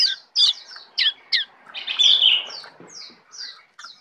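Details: A tame brown prinia sings in full isian style, opening with sharp, loud, separate chip notes. A harsher buzzy phrase follows, then softer downslurred notes at spaced intervals.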